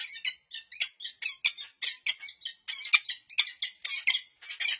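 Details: Wild peregrine falcon pair at UC Berkeley, 26 November 2023, pair-bonding while staying alert to intruders: a continuous series of harsh, chipping squeaky calls repeated several times per second, rising and falling in intensity.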